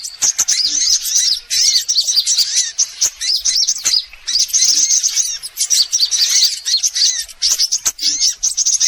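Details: Lure recording of assorted sunbirds: bursts of shrill, overlapping twitters and sharp ticking chirps, broken by brief pauses near two, four and eight seconds.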